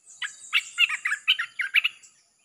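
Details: Red-whiskered bulbul song played to lure wild birds: a quick run of rich, bubbling whistled notes, about six phrases in two seconds, with a faint steady high hiss behind.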